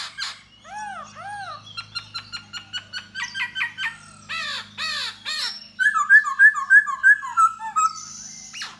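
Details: Khướu da bò laughingthrush singing and dancing to lure a female: a varied run of arched, ringing whistled notes, then rapid clipped chips and a repeated bright rising phrase, all over a steady low hum.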